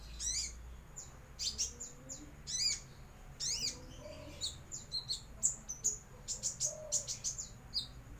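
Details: Young brown-throated sunbird starting to practise whistles and gaping; bright high chirps with steep downward sweeps, scattered at first, then quicker and closer together near the end, with faint low cooing in the background.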